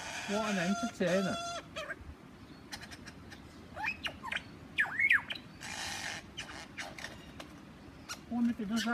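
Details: A lyrebird in Australia, displaying very close to a man, pours out a rapid, varied medley of sharp whistles, downslurred notes and clicks, opening with a lower harmonic phrase; onlookers suspect a mating call; a man's voice may be heard.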